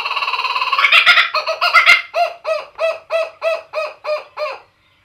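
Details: A kookaburra's raucous laugh wakes a household in the morning: a rolling, rising chuckle that breaks into about a dozen loud, arched 'ha' notes, four per second, then stops.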